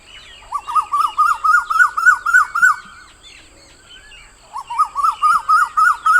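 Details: Asian koel giving rapid runs of short, rising whistled notes, about ten in quick succession, then a pause before a second fast run begins.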